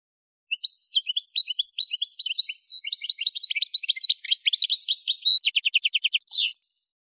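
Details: Algerian goldfinch, Souk Ahras area of Algeria (Kef El Hammam), delivering a long, busy song of bright chirps and sliding notes that speeds into a fast, regular rattling trill before a last down-slurred call.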